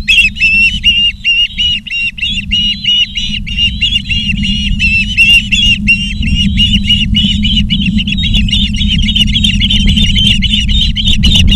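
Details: Ospreys on a live nest camera at Charlo, Montana, 19 August 2023 at 16:05, giving a long, nearly unbroken run of sharp whistled chirps, about three per second, over a steady low rumble.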